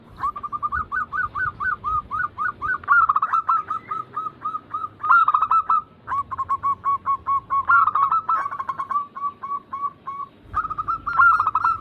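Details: Chorus of zebra doves, local Bangkok, crossing, Cemani and Silver types, cooing as a lure to prompt caged birds: continuous overlapping series of quick repeated notes and rolling trills with brief pauses.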